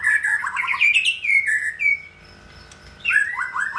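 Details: Caged male white-rumped shama nearing his third molt, singing rich whistled phrases that slide down and up, with rapid stuttering notes, a short pause, then another loud burst of song.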